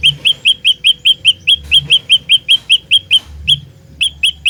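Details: Olive-backed tailorbird fighter-style lure song for trapping birds: a near-continuous run of loud, ringing, upslurred chips, evenly spaced at roughly two and a half per second, stopping briefly before resuming, with a faint low hum beneath.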